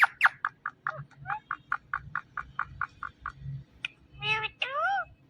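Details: Indian ringneck parakeet talking: a rapid run of short clipped syllables, about four to five per second, followed by a few longer wavering, vowel-like sounds at the end, over a low background hum.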